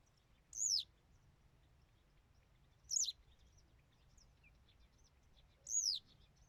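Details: Western yellow wagtail song of three high, thin, falling whistles spaced roughly two and a half seconds apart, with faint other twitters and low background noise.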